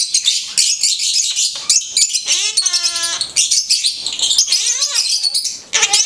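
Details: Blue-headed conure chattering and talking: rasping high squeaks and trills, a held word-like voiced note in the middle, and a rising-then-falling vocal glide afterward.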